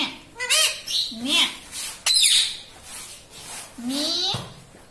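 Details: Talking parrot in a small room, said to speak "papa" and "mummy": several short, nasal, mimicked syllables and harsh squawky bursts, a sharp click, then a long, rising, harmonic phrase, with scratchy noise between.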